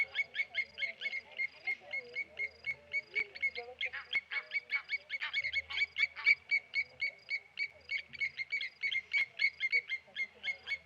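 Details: At the Okaukuejo Resort wildlife waterhole, Blacksmith lapwings dive-bomb a Tawny eagle, giving a relentless run of loud, hammer-on-metal clinks, about four per second, for eleven seconds.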